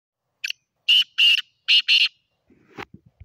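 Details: Black francolin, known locally as kala teetar, calling: a short introductory note followed by two pairs of harsh, grating, high-pitched notes, then faint low knocking sounds.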